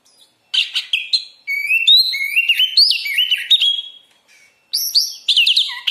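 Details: Oriental magpie-robin (kacer) in lively song used to train kept birds; a long phrase of quick, varied whistled notes rising and falling, a short silence, then a second high, sharp burst of whistles.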